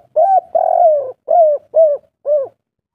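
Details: Local wild spotted dove of the three-note "kuk 3" type, used as a lure to get other doves calling: five soft, low, hollow coos, a short one then a long drawn coo, then three shorter coos about half a second apart.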